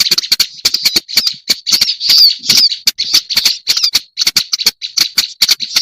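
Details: Black-browed reed warbler lure call: rapid rasping, buzzy churr notes alternating with sharp clicks in an unbroken, scratchy stream, with one brief whistled squeal near the middle.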